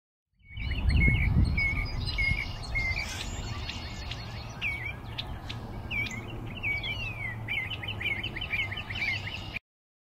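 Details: Northern cardinal singing at Major Donnelly Wildlife Preserve, South Windsor, Connecticut, on 14 April 2024; short slurred whistled notes repeated rapidly, mixed with other bird chirps, over a steady low rumble.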